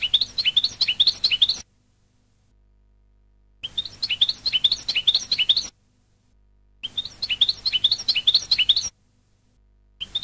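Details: European goldfinch song for training birds: a rapid, evenly repeated sequence of rising twittered notes, played in identical bursts of under two seconds separated by clean silences.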